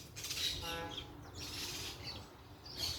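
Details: Parakeets making noise in nature: dense, harsh, high-pitched chattering squawks in overlapping bursts, with a brief lower drawn-out harmonic sound near the one-second mark.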